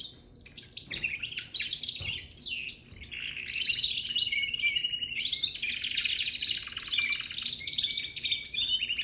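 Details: Young canary singing a dense, continuous warble of rapid high twittering notes, trills and rolling phrases that run almost without pause, with a few sharper chirps near the start.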